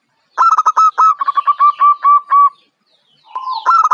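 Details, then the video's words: Young local Zebra dove, called perkutut and said to be bold enough for contests, delivers a rapid run of about a dozen clipped, ringing coo notes, pausing before starting again. "Suara Perkutut Lokal,Muda dan berani diadu."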